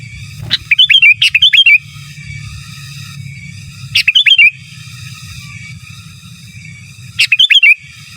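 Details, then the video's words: Sooty-headed bulbul, kept as a master song for training, repeating a short bubbling phrase of quick rising-falling whistled notes about every three seconds, three phrases, with low steady hum beneath. "Suara Burung Kutilang Gacor Giras dan Menggaruda Cocok Untuk Masteran"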